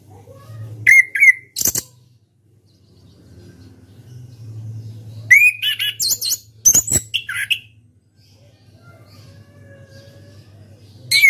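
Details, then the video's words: Captive orange-headed thrush, a national champion contest bird, singing in the ngeplong style: short loud bursts of whistled and buzzy high notes with sharp clicks, separated by pauses of two to four seconds over a low steady hum. "KICAU ANIS KEMBANG NGEPLONG"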